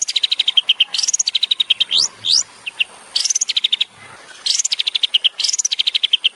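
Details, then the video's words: Long-tailed shrike singing in tembakan style for a songbird training recording: long rapid strings of staccato notes broken by high rising sweeps, the pattern repeating in bursts. "CENDET SPESIALIS TEMBAKAN"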